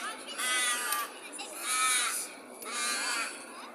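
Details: Birds in Perth by day give three evenly spaced, drawn-out nasal squawks, each about half a second long and rich in overtones, over a steady street-noise hiss.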